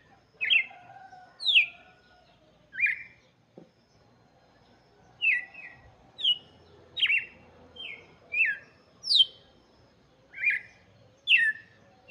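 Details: Red-cowled cardinal song for chicks: a lively series of short, sharply descending whistled notes, a dozen or so in twelve seconds, with a brief pause midway.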